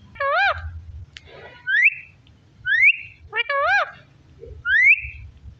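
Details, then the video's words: Parrot vocalising: a wavering, harmonic-rich note followed by a clear rising whistle, the two-part phrase given twice over the stretch, with low room hum beneath. "Beautiful parrot talking"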